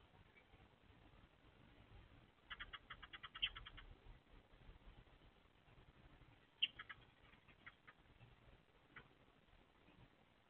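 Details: A nest-box pair of Eurasian tree sparrows, male and female, call back and forth: a fast run of about eight sharp, high chirps like "fi fi fi chi chi chi", then scattered single answering chirps, over a low hum. Recorded 30 April 2024.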